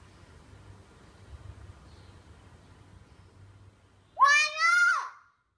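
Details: A hill myna learning to talk, following several seconds of low background hiss and rumble, suddenly utters a loud two-syllable, voice-like phrase with a curving, harmonic tone.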